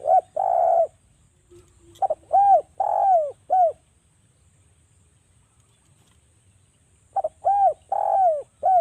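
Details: Spotted dove calling on a lure track for prompting doves to sing: soft hollow coos in quick clusters, long coos between short arched notes, a pause of about three seconds, then another burst of coos.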